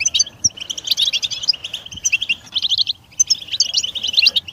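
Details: Rapid, jangling twitter of a European goldfinch in a stimulation song, bright high notes tumbling in continuous bursts with tiny gaps, over a soft low background hum.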